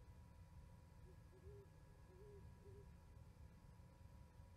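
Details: Owl hoots at a Charlo, Montana osprey nest on 11 January 2020, winter, heard through a live nest camera: a few faint, mellow, slightly higher hoots, evenly paced, half buried under a strong low-pitched rumble.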